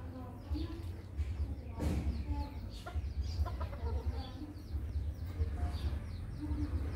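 Red junglefowl giving short, soft clucks and brief harmonic notes at irregular intervals, over a steady low rumble of background noise.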